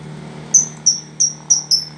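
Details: Lovebird calling with five thin, piercing, whistled notes of even pitch, repeated roughly every third of a second, against a steady low hum.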